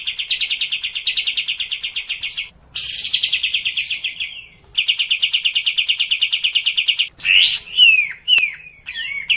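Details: Sooty-headed bulbul, kapas tembak, used to coax a reluctant bird into racin-style singing: long rapid rattling trills of about seven notes a second, broken by short pauses, ending in sharp downslurred whistled notes.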